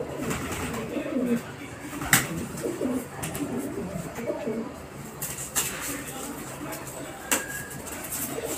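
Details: Pigeons fighting with each other over food; low, throaty coos come in short bursts amid sharp clicks, scuffling and flapping noises, with faint indoor-sounding background and occasional voices.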